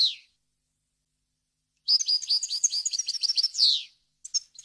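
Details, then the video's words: A goldfinch model song for training young birds and hybrids: a falling buzzy note, nearly two seconds of silence, then a lively phrase of quick, sweet twitters ending in a downward buzz, followed by a few short chips. "غناء طائر الحسون ، صوت صافي وخالي من الاخطاء لتسميع الفراخ"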